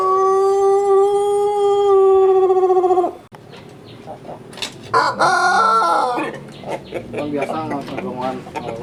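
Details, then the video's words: Pelung cockerels sunning in Sukabumi regency: a steady, very long crow held at one pitch for three seconds, then a second rooster's wavering crow breaks in later amid clucks and yard noise. "CACAKAN keur MOYAN tapi ciga anu keur KONTES/GACOR SUARANA"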